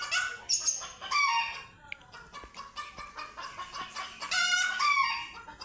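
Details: Scared chickens face cats for the first time, giving loud, harsh screeching squawks in overlapping bursts, the loudest at the start and near the end, with choppy clucking in between.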